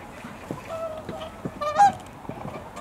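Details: Whooper swans from a wintering flock in Korea calling: overlapping nasal, honking notes with rich harmonics, several birds trading short and drawn-out bugles, one louder call standing out near the middle.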